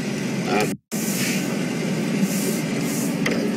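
Steady vehicle engine rumble with broadband noise and a brief dropout, no animal calls heard.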